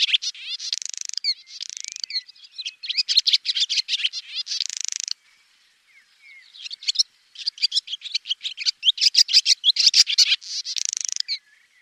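A swallow twitters in rapid bursts of high, buzzy chattering notes, broken by short pauses, with nothing else heard.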